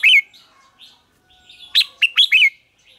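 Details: Red-whiskered bulbul in a singing contest, its fighting song intended to provoke rivals: a clear rolling whistle, a soft gap, then four loud, ringing warbled notes in quick succession.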